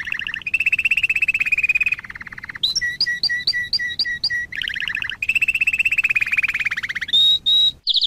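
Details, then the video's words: Lovebird long ngekek trill used as a training model: extended rapid rattling trills alternate with a run of evenly spaced sharp notes and a brief high whistle near the end. "MELATIH LOVEBIRD NGEKEK PANJANG"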